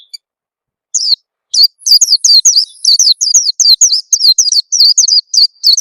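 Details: Oriental white-eye lure call aimed at quickly getting birds to sing: after a couple of isolated notes, a dense, steady stream of high, quavering, downslurred chirps, with a faint thin whistle drawn out above them.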